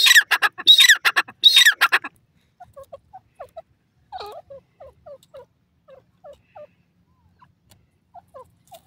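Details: Black francolin (Sindhi teetar) giving three loud, harsh, rattling call phrases, then quiet, with soft, scattered chirps from other birds in the distance.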